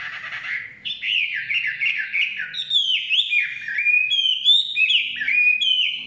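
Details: Chinese hwamei singing in the forest, a lively sequence of loud, looping whistles repeated several times a second, each note dipping then rising, with occasional high faint overtones.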